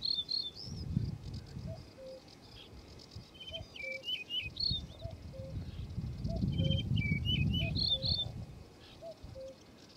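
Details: A male yellow-breasted bunting sings clear whistled phrases that open high, then drop into quick slurred notes, repeated roughly every two to three seconds. Short low notes from another bird and steady low rumble sound throughout.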